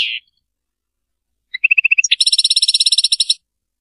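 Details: European goldfinch in Serfati song: a brief high note, a long silence, then evenly spaced chips leading into a dry, rapid buzzing trill of about a second.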